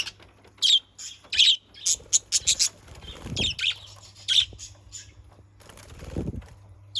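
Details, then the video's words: Budgerigars kept in a cage give short, harsh chirps centred high, in irregular bursts of two to five notes with brief pauses, over a low steady hum and a few soft low thuds. "Pancingan burung parkit PALING AMPUH"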